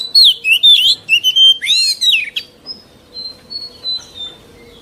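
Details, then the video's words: Oriental magpie-robin, an old wild-caught bird, pouring out loud warbled and whistled phrases with curving slurs, fading into softer thin high whistles over a steady low hum; used to teach young birds to sing. "Tiếng Chòe Than Già Rừng CHUẨN HAY DÙNG ép luyện giọng Chim Non"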